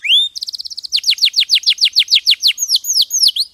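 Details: Champion canary tutor song, clear: a rising whistle opens, then a quick run of high downslurred notes that broadens into slower, swooping chirps about five per second, with no background noise.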